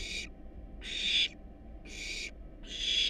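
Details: Four drawn-out, rasping screeches from wild barn owl nestlings begging at feeding time in a nest box, each about half a second and spaced roughly a second apart.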